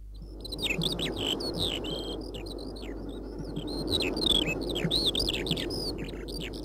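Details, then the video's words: Eurasian skylark singing high in the sky over open fields, a spring song it can keep up for hours: an unbroken, rapid stream of high, varied chirps, trills and slurred whistles over a steady low rumbling hiss. "издигната високо в небето полската чучулига по цели часове не спира мелодичната си песен"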